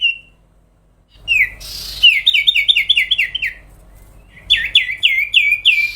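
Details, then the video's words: Sooty-headed bulbul in energetic long song, a master recording for contest and trapping birds: a single whistle, then harsh rasps and long runs of rapid repeated chirps, each slurring downward. "cipow/ sirtu gacor suara panjang sampai konslet"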